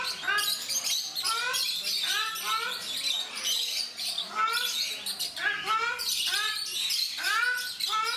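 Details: Ruddy shelducks, known in India as Brahminy ducks, captive at Mysore Zoo, giving a steady series of nasal, harmonic honks, each a short rising-then-falling arc, repeated about twice a second with overlapping callers and a hissing high background.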